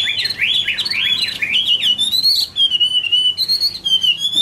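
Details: Chinese hwamei singing in autumn 2017. A quick series of zigzag whistles climbs and falls, then settles into long, pure, slightly wavering whistled notes held almost steadily.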